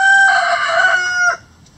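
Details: Rooster in a chicken coop crowing: one loud, sustained, richly harmonic crow holding a steady pitch for over a second, then dropping and cutting off into quiet background.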